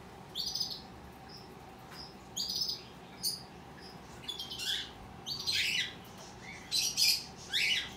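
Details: Hand-tame opaline rosy-faced lovebird chick, a young pet bird, calling in repeated bursts of high, thin, squeaky chirps, some short and sharp, others longer and rasping, growing busier and louder toward the end, against a soft steady indoor hum.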